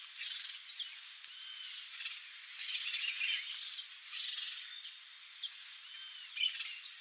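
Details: Female swallow tanager uttering sharp, very high chip notes in small clusters about once a second, with faint thin whistles between them.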